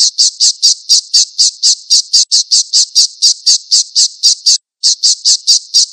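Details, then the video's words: Falcon calling on a repeated training recording for songbirds: a long run of harsh, high, squealing notes, about four per second and evenly spaced, broken by one brief gap. "SUARA MASTERAN BURUNG ALAP-ALAP"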